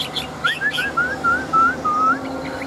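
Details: Large wild-caught adult Chinese hwamei, a fighting bird with a forest voice, singing caged: a series of clear whistled upslurred notes around mid pitch, each about a quarter second, with a few higher chirps at the start.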